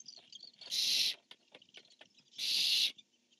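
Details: Barn owls on a nest camera, 1 October 2015, a male calling and a female answering: two harsh, hissing screeches about half a second long, spaced under two seconds apart, with faint scratching and shuffling between them.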